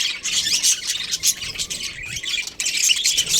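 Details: Pair of breeding budgerigars chirping in rapid, buzzy bursts of squeaky warbling, a short pause just after two and a half seconds, then the chatter starts again loudly.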